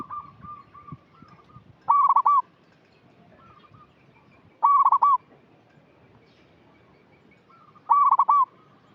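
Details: A vocally active local zebra dove, recorded as a lure for untrained birds. It repeats a loud stuttering coo phrase with a rolled finish three times, about every three seconds, with faint level coos between.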